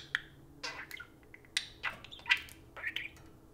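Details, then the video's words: Indoors, a pet parakeet talks to a spoon in fast, scratchy warbling bursts mixed with clicky high notes. Several short phrases follow closely one after another. "Kiwi and Pixel take turns talking to the spoon"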